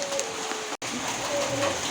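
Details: Local zebra dove (perkutut) at a cooing contest in Yogyakarta, Java, on 21 November 2020, held in heavy rain: soft, mid-pitched cooing notes with a brief break midway, over a steady hiss of rain.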